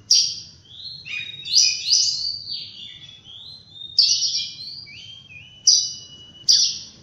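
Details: Oriental magpie-robin singing in the morning: loud, clear whistled notes that slide downward, with several bursts starting high and dropping into sustained tones, and quieter phrases in between.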